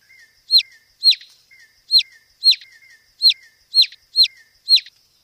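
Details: Cage-bird training master recording of a white-rumped shama with varied fill-in phrases: a high, sharp, downslurred note repeated about twice a second, each followed by a soft lower whistle, over a faint steady high hiss.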